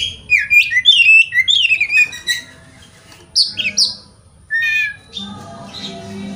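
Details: Oriental magpie-robin song played to stimulate young wild-caught birds to sing: varied whistled and slurred phrases around mid-high pitch, bursts of quick notes with short pauses, a low hum underneath.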